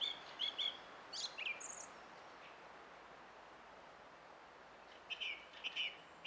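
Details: Song thrush song recorded 20 April 2016: brief clear whistled notes and a high squeaky flourish early on, a long quiet gap, then a pair of repeated phrases near the end.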